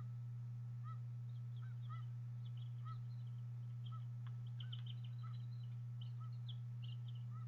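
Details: Young bald eagles in their nest at Harrison Bay, 26 April 2014, fed fish by their mother on camera: brief arched notes about once a second, mixed with busier high chittering and a droning low hum.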